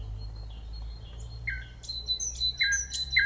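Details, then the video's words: Common nightingale singing over a steady low hum: faint thin whistles, then a mix of high sharp notes and short lower phrases growing louder toward the end. "The nightingale singing"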